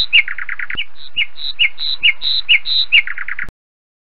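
Lapwing calls: quick runs of sharp, shrill notes broken by higher, slurred cries, about two per second, ending abruptly.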